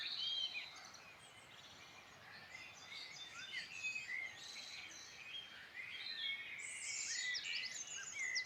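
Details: Birdsong chorus in the Midlands of Ireland, several birds overlapping in quick varied chirps, twitters and short whistled phrases, with a burst of bright high trilling near the end over steady outdoor background hiss.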